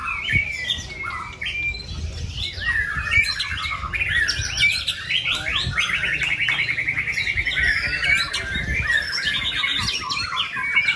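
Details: A competition White-rumped shama that won first place in its first contest. It pours out a loud, varied song of rich whistles, rapid trills and harsh chattering phrases, with other birds calling in the background.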